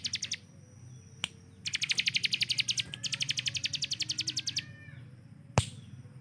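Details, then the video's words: Rapid-fire 'tembakan' of a kept hill prinia used to train other songbirds: a short opening burst, a single click, then two long runs of fast, evenly spaced high chips split by a brief break, followed by a sharp tap. "CIBLEK GUNUNG || Melatih Speed dan Tembak Burung Gacoan"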